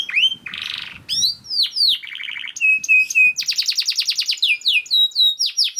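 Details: A canary sings a fast, tightly packed tutor song: a harsh burst, falling whistles, a buzzy trill, repeated short whistles, a long rapid rattle and evenly spaced descending slurs.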